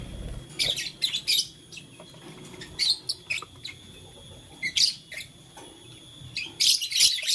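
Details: Pet lovebirds, blue lutino and green, chirp while playing with a flower in the morning: scattered high, scratchy chirps in clusters separated by short pauses, faint background hum.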